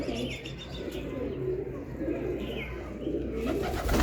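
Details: Soft, deep pigeon coos roll on in a low continuous murmur over four seconds, with a few faint higher chirps and a louder rustle at the end.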